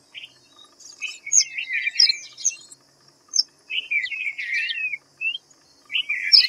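A white-browed fantail gives bright, twittering whistled phrases that rise and fall, repeated in quick bursts, over a faint steady insect hum.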